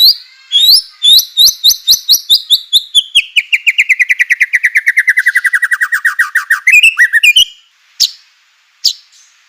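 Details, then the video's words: White-rumped shama song, used as a lure to stir other shamas into singing: a few sharp chirps, then a long run of rapid repeated notes that slide steadily downward, ending in scattered harsh notes. "murai batu gacor AMPUH UNTUK pancingan murai batu agar emosi JADIKAN burung murai batu gacor"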